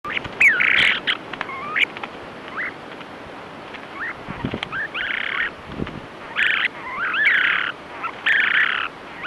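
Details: Snowy Plovers, a nesting pair fighting an intruding male, give harsh, buzzy, rattling calls in quick bursts of about half a second, with thin twittering notes between them during the territorial clash.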